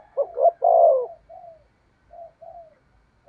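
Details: Decoy spotted dove used to lure wild doves: one stuttered low coo swelling into a long hollow note, followed by a few soft short purring coos.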